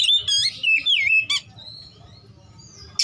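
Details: Besetan song of an Oriental magpie-robin with rich isian: a loud burst of twisting whistled slurs and a harsh buzz, then a soft drawn-out high whistle and a final sharp note.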